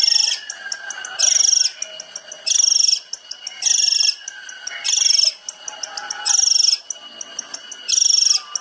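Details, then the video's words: Long-tailed shrike singing 'tembakan' style as a training master: harsh high buzzy bursts repeated about every 1.3 seconds, with faint ticks and soft slurred notes in between. "CENDET SPESIALIS TEMBAKAN"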